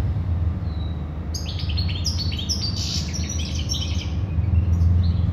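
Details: One thin whistle, then a busy burst of sharp, tinkling European goldfinch song, with low continuous hum behind it.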